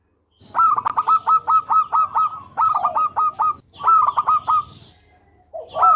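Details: Local zebra dove (perkutut) in full, active song used for tutoring other birds: loud phrases of rapid staccato notes, each run ending in a lower rolled coo, repeated three times over about five seconds with a faint hum behind.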